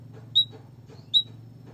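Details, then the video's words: White-headed munia, played to prompt quiet birds into singing. Two sharp high piping peeps come under a second apart, over a constant low mechanical hum. "pancingan emprit kaji malas bunyi biar gacor"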